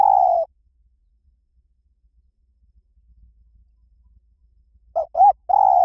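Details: Spotted dove in the หลิ่วตัน song style, used to lure a dove to sing back. A long level coo, a long silence, then two short rounded coos and another sustained coo.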